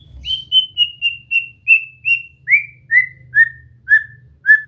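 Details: Song practice of a white-rumped shama: about eleven clear whistled notes, roughly one every 0.4 seconds, each a little lower than the last, over a faint low hum.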